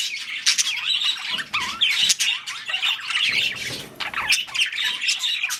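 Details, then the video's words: Mating budgies give nonstop chirping and scratchy squawks interspersed with fast, looping whistled phrases. Soft low thumps are heard between the notes. "Budgies / parakeets | Mating / Breeding"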